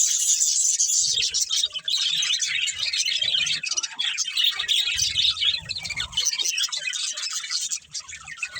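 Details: Several budgerigars from a playing family flock keep up fast, busy chirping and chattering, with rapid notes layered into a steady high wash that fades near the end, and faint low bumps.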